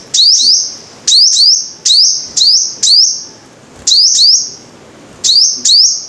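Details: Sunbird, called five-coloured sunbird, giving high, sharp chirps, each a quick upswept note running into a short buzzy tail, often paired, repeated at irregular intervals about once a second.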